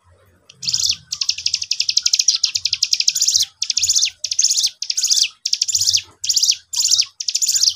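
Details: Lively young cigun calling as a lure while an untrained bird of its kind answers: a long, fast, buzzy high rattle, then shorter choppy bursts separated by tiny pauses, with a quiet low thumping in the background.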